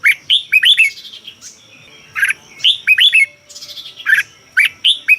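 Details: Song of a red-whiskered bulbul, Thailand, meant to rouse caged birds: repeated bright, bubbling whistled phrases of three to four curved notes, interspersed with sharper squeaky calls, coming roughly every second or so.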